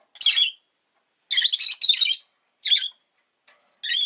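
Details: Rosy-faced lovebird, a pet bird, uttering a few loud rasping chirps, one short, then a longer double burst, then two more separated clipped notes.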